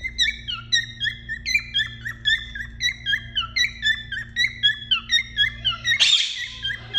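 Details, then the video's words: A male cockatiel courts the female in the nest box to prompt mating, whistling a quick run of clear, slurred notes, each rising then dipping, about two per second, with a harsh burst near the end over a low hum. "كوكتيل كروان يحفز الانثى داخل البياضة"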